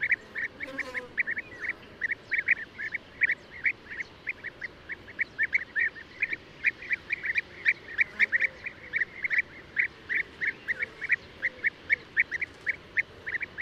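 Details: A long, almost continuous stream of quick trilled notes from European bee-eaters, peaking in volume midway, the calls overlapping as if from several birds.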